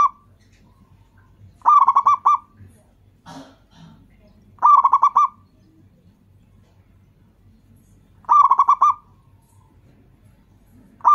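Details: A local zebra dove, used as a lure so that other doves answer, repeats its bubbling song: phrases of five or six fast rolling coos roughly every three seconds in a quiet setting. Faint soft calls fill one gap.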